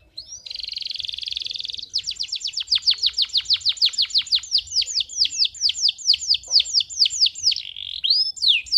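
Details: Excited male canary, singing for young canaries to learn and to arouse females, opens with a steady buzzing trill, then delivers a long, regular string of falling whistles, ending in a warbled trill and upslur.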